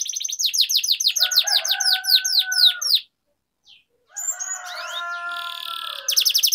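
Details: Canary song for training lazy birds to sing: a quick series of downward-swept notes over steady lower tones, a short pause, then buzzy and sliding phrases ending in another fast burst.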